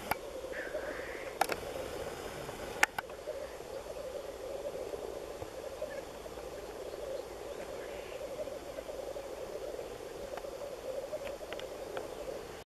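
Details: Seventeen black grouse males gathered together, with no females present, give a steady, continuous low bubbling chorus of overlapping voices throughout. A few sharp clicks break in near the start.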